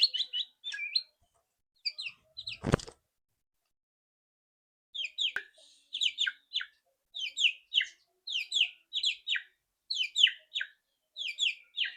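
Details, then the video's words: White-rumped shama loud rattling song played to make a bird sing quickly: short bursts of high, harsh, buzzy notes repeated in clusters about every half second, broken by a single loud knock and a brief silence. "PANCINGAN MURAI BATU AGAR CEPAT BUNYI ketrekan keras murai batu"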